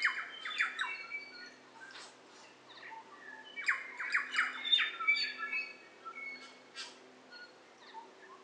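Kaka give harsh squawks mixed with rapid, liquid whistles and chatter, several birds calling over one another, with a faint steady hum beneath.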